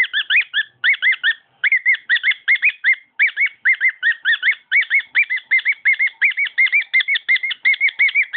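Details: A household cockatiel sings, pouring out fast clear whistles in bursts separated by short gaps, the notes bending up and down in a chattering series.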